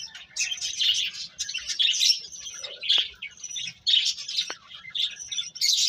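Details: Birds chirping in a dense, overlapping chorus of high, rapid tweets, rising and falling in bursts with short pauses between them.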